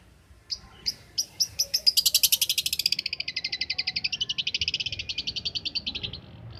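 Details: Champion long-tailed shrike song for training other shrikes: a few spaced sharp notes that speed into a rapid, even, high buzzing trill lasting several seconds before fading.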